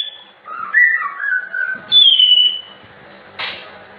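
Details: Captive albino or blorok white-rumped shama giving a few melodious slurred whistles, then one long, high, clear falling whistle, and ending with a short harsh note.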